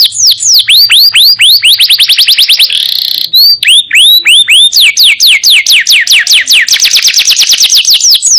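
A canary sings nonstop, fast, high, whistled notes that swoop downward, run together in rapid rolling trills several per second with brief buzzy passages.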